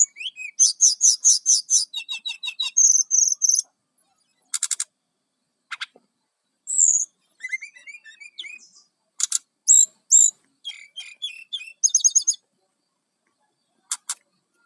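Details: Lively brown-chested jungle flycatcher song meant for luring wild birds: rapid trilled bursts, buzzy repeated notes and thin high whistles, then scattered sharp chips and quick twittering phrases with brief pauses, ending in isolated clicks.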